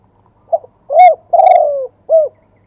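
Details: Spotted dove live song in wild-type voice of the two-kuk style. Heard here are a soft lead note, a loud short coo, a long sliding coo, and one closing arched coo, very clean and near.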